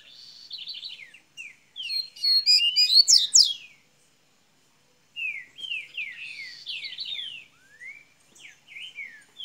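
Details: Double-collared seedeater from Minas Gerais singing golinha song: rolling buzzy trill, a loud rapid run of high sharp notes, a pause, then a string of rising and falling slurred whistles.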